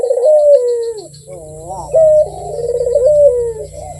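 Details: Barbary dove, described as lively and sweet-voiced, giving a rolling coo: a clear steady note, then a wavering, slightly falling purr and a second bright note. A faint steady hum runs underneath.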